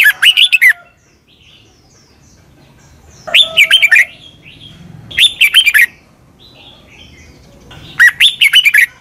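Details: Red-whiskered bulbul in Thailand, doubled southern master song with clear syllables for young birds to pick up. Four cheerful phrases of rapid, bubbly whistled notes, each under a second long, spaced about two seconds apart.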